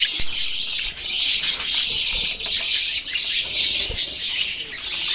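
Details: Budgerigars chattering together in a dense, continuous warble of chirps, squeaks and short squawks, with brief thuds and faint rustling under the busy high-pitched din.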